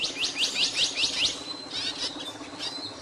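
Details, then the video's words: Singing capuchino seedeater delivering six rapid, bright downswept whistles in a row, then a thin sustained note and a short buzzy trill, with soft hiss behind. "CAPUCHINO CANTANDO"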